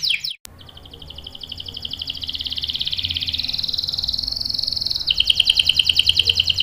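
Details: Long continuous canary roll used to lure other canaries into answering, a fast even trill gliding slowly upward over several seconds before dropping into a sharper, louder pulsed trill; faint background hum.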